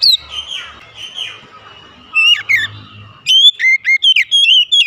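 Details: Oriental magpie-robin singing, used as therapy to spur reluctant birds into song; a quiet, hum-laden opening gives way to loud bursts of clear, slurred whistles and rising and falling notes.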